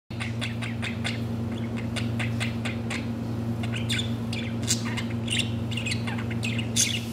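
A budgerigar chatters in quick, scratchy chirps and squeaks, mimicking speech over a steady low hum.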